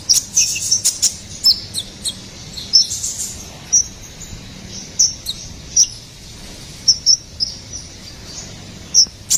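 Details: Sparse, piercing high chips from a ruby-cheeked sunbird, meant as a lure and master sound for songbirds: single sharp notes spaced about a second apart, with brief double notes and soft background hiss.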